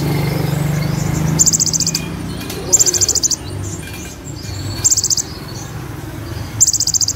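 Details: Brown-throated sunbird (konin) singing in roll tembak style with mimicked cililin and ciblek material; very high rapid buzzy trill bursts, each about half a second, repeated irregularly, over a low hum at first and background noise.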